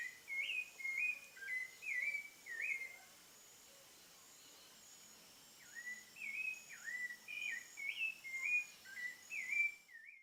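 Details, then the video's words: Evening thrush song in rural countryside at sunset: bursts of quick, looping whistled notes, a pause of about three seconds, then more dipping and rising whistles, with a constant high insect buzz in the background. "SUNSET AT THE SOUND OF THE THRUSH"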